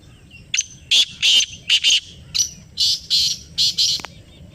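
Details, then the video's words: Answering a played call, a black francolin (kala teetar) gives a stuttering run of about ten loud, scratchy notes, some paired, with short irregular gaps, against quiet low rumble. "یہ آواز سنائی تو کالا تیتر بول اُٹھا . Kala Teetar Ki Awaz | Black Partridge Voice"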